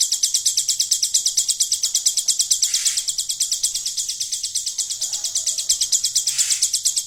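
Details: Captive hill prinia delivering its golden-grasshopper imitation: a long, steady series of sharp, high, insect-like clicks, closely and regularly spaced, strong throughout, over quiet background with a few soft low murmurs.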